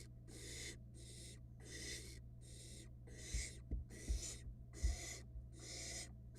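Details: Barn owl nestling on a nest camera in Florida, swallowing a rat very fast; harsh broadband hissing rasps in about eight bursts over six seconds, with soft low thumps and bumps in the middle.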